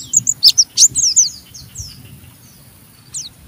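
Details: Oriental white-eye (pleci) rough 'ngeriwik' chattering to trigger other white-eyes into song: a quick cluster of shrill twittering notes in the first second and a half, then quiet and one final sharp chip.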